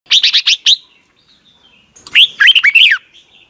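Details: Caged Red-whiskered Bulbul in Thailand, song used to train young birds each morning: a quick burst of five chirpy notes, a pause, then a longer bubbly, warbled phrase of slurred, up-and-down whistles.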